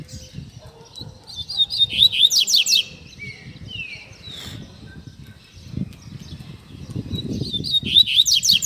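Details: Captive Double-collared Seedeater giving its Tui Tui Zel Zel song for training young birds: two bursts of rapid, high, sweeping notes separated by drawn-out falling whistles, over low rustling and tapping noise.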